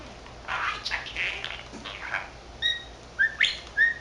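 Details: Pet male budgerigar, 13 months old, chattering to himself in mimicked speech; soft, murmured voice-like babble early on, then a few short clear whistled chirps rising near the end, against a quiet indoor background.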